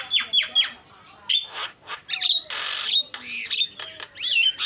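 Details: Javan myna (jalak kebo) filler song for training: clear whistled downslurs, then harsh hissing bursts and arching whistled notes, mixed with a scratchy chatter.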